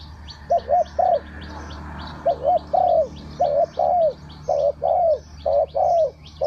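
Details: Spotted dove cooing steadily in the three-kuk-hoi style, paired low soft notes repeated about once a second, over a background of rapid high chirps and a low hum.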